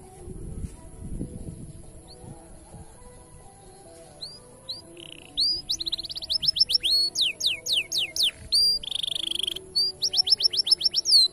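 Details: Male canary song for training young canaries: after several quiet seconds with low rumbling, scattered high notes build into bursts of rapid downslurred trills and buzzy phrases, broken by short pauses.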